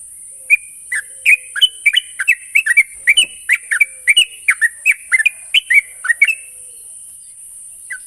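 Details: Sooty-headed bulbul song played as a lure to prompt a young trainee bird to sing continuously: quick bubbly, fluty two- and three-note phrases in a steady run, over a constant high hiss.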